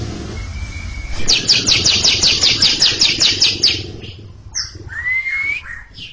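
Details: Greater green leafbird (cucak ijo) doing its long ngekek chatter in front of a younger bird: a thin whistle, then a dozen rapid buzzy notes, followed by softer calls and a rising whistle, with background hum.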